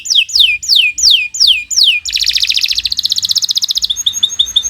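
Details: Canary of the Kenari Nusantara strain: six loud swooping down-slurred whistles, then a dense fast buzzy trill and a thin, rapid, high chip series, sung as a long training song.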